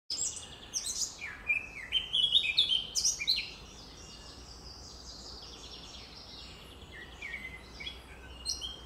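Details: Eurasian blackcap singing in a forest, a good singer valued for melodious whistles: a burst of varied high twittering and fluting notes over three seconds, then quieter scattered phrases against steady background noise.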